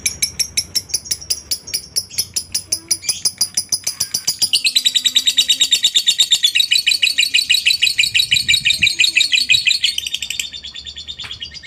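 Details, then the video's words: Lovebird song in the long ngekek style, used as a lure to make other lovebirds sing: a fast, continuous run of sharp, high chattering notes. It starts as a rapid ticking series and then becomes a denser, louder rattling trill that lasts about seven seconds. "pancingan burung Lovebird suaranya bikin lbmu ikut ngekek ,rajin bunyi pastinya ngekek panjang"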